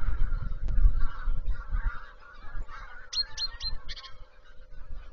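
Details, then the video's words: Geese flying over the Zastawie reservoir on 17 September 2023, giving a run of nasal honks for about three seconds. Short, sharp chirps from another bird follow near the end over a low rumble of wind. "Lecą gąski"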